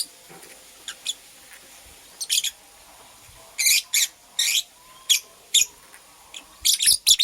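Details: Nest-building female lovebird of purple colouring, chirping in bright, rasping bursts that grow denser midway, single and paired notes, with low background hiss.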